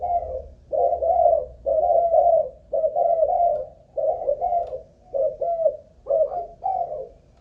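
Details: Spotted dove from a Malaysian line, a caged ground decoy tested for how long it keeps cooing, delivers repeated gentle double coos at a steady pace of about one per second.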